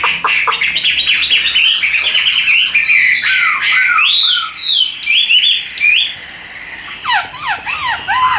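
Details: A tame caged Chinese hwamei, a bird that spreads its tail when fighting, sings a rich medley: dense warbling, then looping arched whistles, a brief lull, and a closing run of rapid falling notes.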